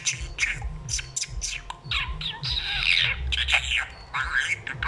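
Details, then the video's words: Budgerigar chattering happily: a dense run of scratchy warbles, clicks and short squawks, with a low rumbling noise underneath throughout. "grasparkiet lekker aan het kletsen. talking budgie"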